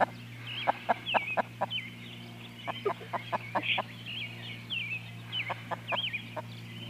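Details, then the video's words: Twenty-day-old chicks, a Partridge Cochin and Barred Rock cross, out walking with their mother hen: many thin high peeps and down-slurred cheeps, mixed with short low clucking taps and a steady low hum. "Peeps - Partridge Cochin & Barred Rock mix"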